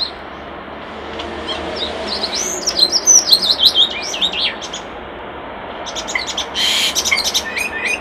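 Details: A Common starling at a nest box sings a jumbled run of whistles, slurred rising and falling notes and clicks, then a harsh rattling burst near the end.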